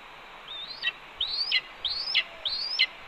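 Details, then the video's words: At a Cornell nest on an April 2013 morning, a red-tailed hawk scolds as its mate brings in a branch: four sharp, upslurred chirps that snap downward at the end, evenly repeated about every two-thirds of a second. "Ez Delivers Branch and Gets Another Earful..About the Starlings?"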